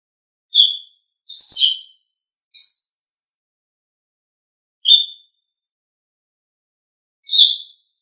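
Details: Asian pied starling training recording with sparse, isolated notes: a few sharp whistled chirps and one scratchy double note, separated by gaps of one to two seconds or more, in otherwise silent surroundings.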